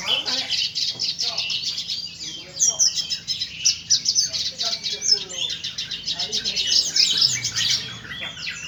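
A red siskin sings a fast, continuous stream of high twittering and buzzy trills, with scratchy chatter running almost without pause.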